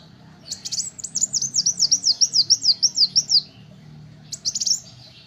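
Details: Little spiderhunter song used as a tutor recording for songbirds: a fast run of about fourteen sharp, high, downslurred chips across three seconds, then a short stuttering burst after a pause. A faint low hum sits underneath.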